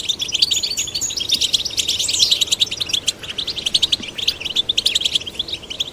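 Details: Male and female goldfinch chicks being stimulated to sing: a dense, rapid twittering of high, tinkling notes with short buzzy trills, running almost without pause for six seconds.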